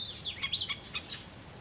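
A Golden-fronted Woodpecker gives a quick burst of five or six high, squeaky chirps within about a second, over faint background hiss.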